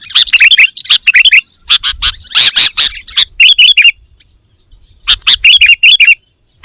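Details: Sooty-headed bulbul in a full 'isian' song recording, used to stimulate other birds to sing. Dense bursts of sharp, high chirps and harsh buzzy notes in quick clusters, a brief pause near the middle, then more rapid chirping; loud throughout.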